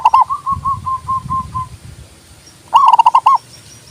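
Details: Zebra dove: a faint string of evenly spaced soft coos trails off, then a loud burst of rapid rolling, bubbling coos follows, with low rumbling noise underneath.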